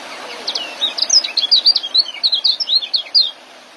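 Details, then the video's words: Masteran recording for caged-bird training of a young white-eye singing ngeriwik and joss: a steady, rapid chain of piercing high twitters lasting about three seconds, then stopping abruptly. "Suara Ngeriwik dan joss kecial muda"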